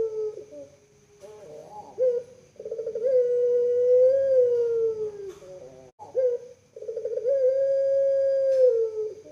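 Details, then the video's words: Kept puter pelung collared dove from Indonesia cooing: a short gurgle, then a long even coo of nearly three seconds. After a pause, a second rolled, bubbling start leads into another sustained, level coo. "Very Melodious Voice of Collared Dove"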